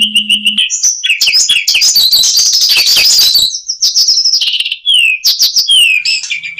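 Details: Asian pied starling song with elaborate fillers: a level whistle with a low hum, then dense rapid chattering and scratchy notes, followed by sharp clicks and short downslurred whistles.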